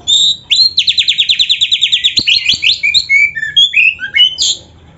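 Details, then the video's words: Kacer (oriental magpie-robin) singing a rich fill-in training song: opening whistle, a long fast trill of repeated notes, then varied swooping whistles and chirps. Two faint clicks are heard. "Suara Burung Kacer yang cocok untuk Latihan"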